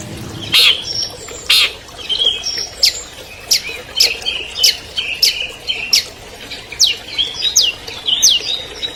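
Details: Albino long-tailed shrike, a 2020 champion bird, with a master song for provoking quiet shrikes: spaced, sharp high chips and thin upward-sweeping whistles, interspersed with brief harsh notes.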